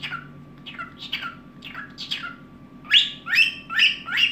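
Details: Evening singing by a pet cockatiel indoors, a run of quick falling chirps followed by louder rising, harmonic-rich whistled notes about every half second, with a steady low hum underneath.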